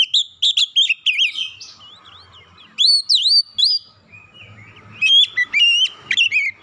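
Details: Lure song of an Oriental magpie-robin, meant to prompt a stressed, untrained bird to sing. Quick slurred whistles are followed by a soft warble, then sharp rising whistles and a final jumble of bright, ringing notes.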